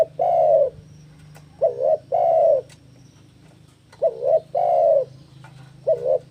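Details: Spotted dove in breeding condition, challenging a rival: low mellow cooing, a short two-part coo followed by a longer drawn-out rolling coo, the phrase given three times in six seconds over a faint steady low hum.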